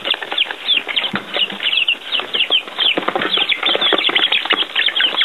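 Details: Baby chicks outside for the first time, eating earthworms; a dense chorus of many high, short peeps, each a quick rising-then-falling whistle, overlapping continuously with light scratching and rustling.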